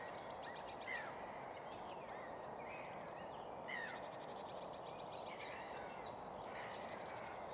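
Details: Common redstart singing at Nysved, Norra Järvafältet: two short phrases, a run of high repeated notes then a quick scratchy jumble, over steady hiss; blue tit, gulls, willow warbler, chaffinch, lapwing, song thrush and others in background.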